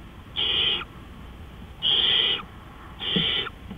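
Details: Owl at 3:15 AM on April 20, 2013 producing three harsh, hissing screeches, each about half a second, separated by roughly a second of quiet hiss.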